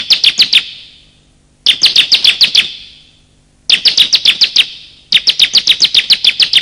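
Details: Male and female bar-winged prinia calls, played as a lure to stir silent birds and to trap wild ones: four rapid bursts of about seven sharp, high chirps, each burst trailing into a ringing echo.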